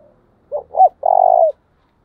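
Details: Decoy spotted dove used in daily training, cooing 'tieng chim': a brief murmur, then two short swooping notes and one long, rattling, steady coo that drops at the end.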